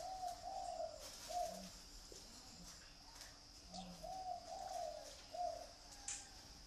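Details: Pet dove kept in captivity, giving soft trilled cooing phrases around a steady mid pitch, in groups of two to three notes repeated every couple of seconds, with a faint constant hum and occasional clicks behind.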